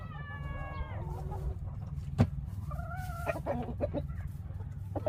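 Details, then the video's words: Chickens giving strange calls: a drawn-out falling, harmonic-rich call opens, then a sharp knock, a level two-tone note and scattered short clucks, all over a constant low hum. "닭들이 이상한 소리를 낸다면~~~??"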